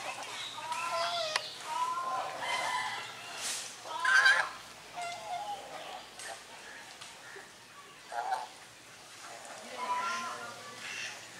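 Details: Domestic swan geese alongside grey domestic geese, drying their bodies, filmed on a Sony camera; harmonic nasal honks in bursts of two to four notes, repeated through the recording with short gaps, some overlapping calls from several birds.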